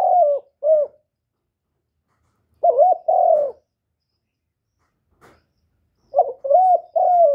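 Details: A young male spotted dove calls loudly and urgently to provoke other doves. Its rounded, gently arched coos come in pairs and triplets separated by silent gaps of two seconds or more, with a single faint click between groups.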